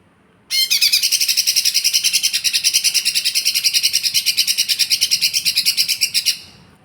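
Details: Lesser green leafbird of fighter type in a sustained six-second stream of very high, fast pulsed buzzing trills, steady and unbroken.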